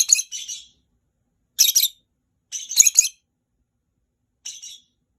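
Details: Three pet rosy-faced lovebirds exchanging contact calls, each sounding a little different: loud, scratchy, high shrieks in paired bursts, four groups over five seconds with quiet gaps, the last one fainter.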